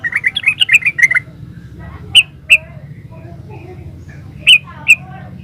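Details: Yellow-vented bulbul in lively 'gacor ropel uplik' style: a fast bubbly run of warbled notes opening, then scattered single sharp chirps with pauses between, over a low steady hum.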